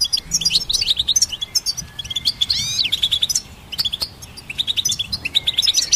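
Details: High goldfinch twittering intended to train songbirds: rapid chirps with a swooping, rising-and-falling buzzy flourish midway, a quieter stretch around four seconds, then brisk chatter resuming.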